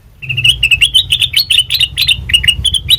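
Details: A sooty-headed bulbul sings, recorded as a training lure for birds; a lively run of clipped, bouncy chirps, some rising sharply, with a faint low hum underneath.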